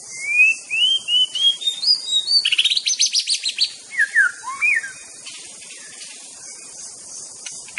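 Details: White-rumped shama singing a master song to provoke rivals. A ladder of rising whistled notes leads into dense rapid chatter, then looping, swooping phrases. The song stops after about five seconds, leaving only a high insect hiss.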